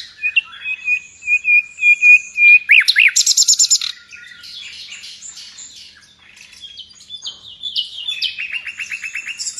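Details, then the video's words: Nightingale singing in full gacor style, a bird prized in Indonesia as a master singer for tutoring pet songbirds: steady high piping notes, a rising buzzy burst, fast stuttered rattles, then quieter varied twitters and a rapid repeated trill. "Nightingale song FULL gacor"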